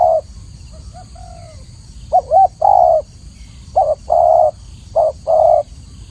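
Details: Tekukur, the spotted dove, singing clearly. After a faint opening, it gives paired coos, a quick short note followed by a drawn-out, mellow one, three times over, with quiet gaps between.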